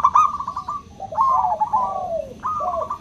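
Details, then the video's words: Crystal-toned local zebra dove, lure for doves that rarely sing: quick beaded coo trill, then overlapping higher and lower phrases drooping in pitch, and a final short bubbling phrase. "Pancingan PERKUTUT LOKAL suara KRISTAL, untuk memancing perkutut susah bunyi"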